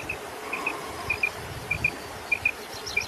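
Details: Common quail song as clipped double whistles, each pair of bright notes repeated about every half second in a steady series, with a faint hiss and soft insect-like buzz behind.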